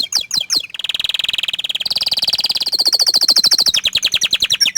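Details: Orange frost canary showing off its song: three quick downslurred notes open into a long, fast rolling trill, which jumps to a higher, brighter trill and then a slightly lower rattling trill.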